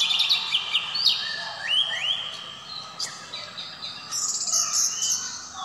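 Orange-headed thrush singing a rich, fast run of varied whistled phrases, with sliding notes and quick trills. Fainter high chirps sound in the background.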